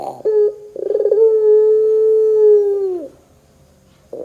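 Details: Puter dove calling on a lure track used to get doves to sing: a brief note, then a quick string of pulses swelling into a drawn-out, even-pitched coo that sags at the end, followed by quiet.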